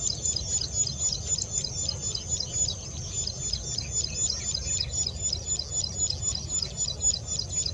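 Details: Plain prinia (Prinia inornata) song recorded 11 April 2020: a fast run of high, thin, buzzy notes, about four each second, over a steady low rumble of background noise.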